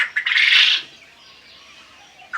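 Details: A male quail, one of about 100 males on a quail farm in Chandpur, Bangladesh, noted as constantly loud, gives one loud, harsh, buzzy burst of about half a second, then a faint pause and a brief second note.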